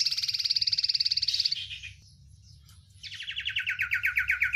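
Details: Oriental white-eye song, described as full of many spicy "isian" fillers: a fast high buzzing trill that slides lower and fades, a pause of about a second, then a new rapid trill of sharp pulses, with a low background hum.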